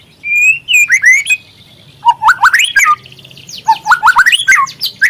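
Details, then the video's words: Speckled young white-rumped shama, murai trotol, lure song meant to stir other birds into singing: clear whistled phrases rising and falling, with sharp upslurred notes in quick bursts and short gaps between them. "pancingan murai trotol agar terangsang untuk bunyi"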